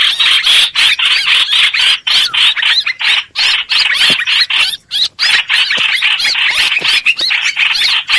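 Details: Lure recording of streak-eared bulbul for trapping birds: fast, bright chatter of squeaky and whistled notes in dense runs, interrupted by brief pauses.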